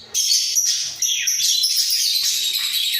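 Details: Budgerigars, a pair kept in a breeding cage, calling with head bobs: one continuous loud, grating warble of buzzy and squeaky notes with hardly a break.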